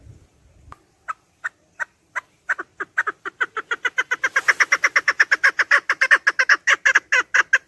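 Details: Chukar partridge, recorded for use in partridge hunting, starting with spaced single clucks that speed up into a rapid, insistent chuk-chuk series which stays loud and evenly repeated to the end.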